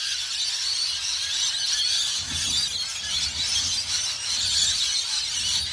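Rainbow lorikeets give a dense, unbroken wall of shrill, harsh screeching and chatter, with a faint low rumble partway through.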